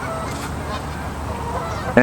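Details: In Regina, Saskatchewan, Canada, a Canada goose gives a single loud, harsh nasal honk at the end, following faint background honking, while a man speaks over it.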